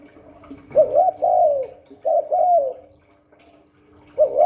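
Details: Cu đất, the spotted dove, cooing in the 'Hạp Bổi 38' voice: two full phrases, each a short rising note then a longer wavering, downward coo, and the start of a third, with a soft hum beneath.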